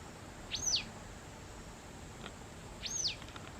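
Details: Autumn white wagtail in a house garden amid territorial squabbles, giving two sharp, high, arched chirps about two and a half seconds apart against faint steady noise.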